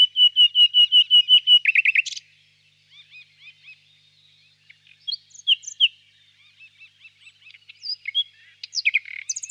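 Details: Nightingale singing on a warm spring evening in a birch grove, distant: a fast run of about a dozen identical bright whistled notes over two seconds, then a pause and scattered varied chirps, twangs and thin upslurred notes.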